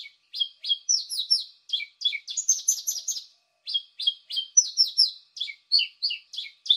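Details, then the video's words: Paddyfield pipit lure call: quick runs of sharp, high chirping notes, several per second, broken by short pauses, with nothing else heard. "Suara pikat ampuh burung apung"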